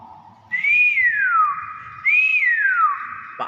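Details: Active common hill myna repeating the same clear whistle twice about a second and a half apart; each rises briefly, then slides down and lingers. A man talks faintly in the background.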